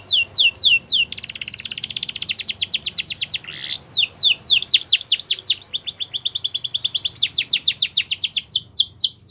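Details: Canary singing in fast rolled trills of repeated downward-sweeping high notes, about four per second, broken by a brief buzzy rising note midway before the rapid rolls resume and continue to the end.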